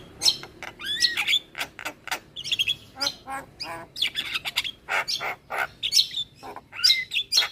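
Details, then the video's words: Javan myna lure song rich in fill-in phrases to provoke other mynas: a busy stream of rasping chatter, clicks and sliding whistles, delivered in quick bursts throughout. "Semua Burung Jalak Seketika Nyaut Dengar Pancingan Jalak kebo Full Isian Ini"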